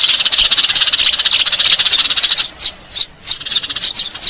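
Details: Lure recording of Eurasian tree sparrows: busy high twittering from several birds for the first half, then separate sharp chirps repeated in quick bursts with short silences between them.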